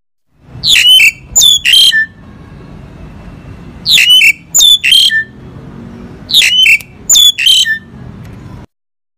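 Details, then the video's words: Crested myna song: groups of three sharp, squeaky whistled notes with quick rising and falling sweeps, each phrase repeated about every three seconds over a faint background hiss. "Suara Burung JALAK HONGKONG"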